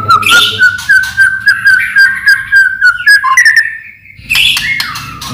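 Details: Lure song of a white-rumped shama for getting other shamas to sing: a steady run of quick, level whistled notes, ending in a rising whistle and a harsh burst.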